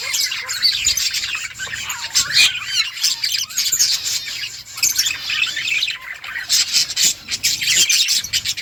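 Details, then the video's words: Budgie colony flock: a constant wash of bright warbling chirps and clicks, swelling and fading in bursts. "Beautiful budgies birds flocks in budgies colony budgies parrot chirping sounds"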